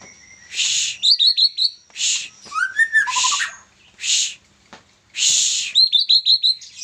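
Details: Young white-rumped shama in a busy singing bout: loud buzzy bursts alternate with runs of four or five quick high whistled notes and a lower descending whistle, phrases repeating roughly every second.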